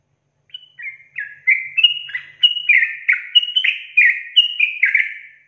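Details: Fast, lengthy song of a sooty-headed bulbul: a hesitant start, then an unbroken burst of short, sweet, downslurred whistles, bubbling along in a tight rhythm before trailing off.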